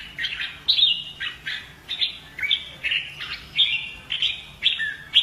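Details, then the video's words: Caged red-whiskered bulbul from Vietnam trained in fighting song, excited to sing: rapid series of short fluty, slurred notes, several phrases per second, each with bright downward slides, nothing else clearly audible. "CHÀO MÀO | Luyện giọng chim hót hay hót đấu - kích ché lên lửa"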